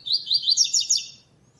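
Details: Double-collared seedeater in a web singing tournament, second stage, classic song without the third note. Six or seven quick, scratchy high notes pour out in about a second before falling silent.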